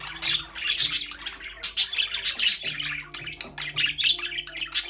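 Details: Several caged budgerigars chirp in busy, overlapping bursts of high, scratchy twitters and short squawks, with hardly a pause. Soft steady music plays underneath.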